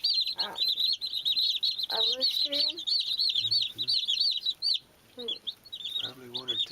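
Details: Chirping baby chicks: a crowded chorus of shrill, rapid peeps from multiple chicks, nearly nonstop, interrupted by brief lower clucks and soft thumps, with a short lull before the peeping resumes.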